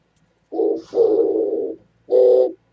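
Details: Oriental turtle dove, 27 January 2017: close, loud low coos, a brief note, a long husky drawn-out one, then another short coo, in a quiet setting.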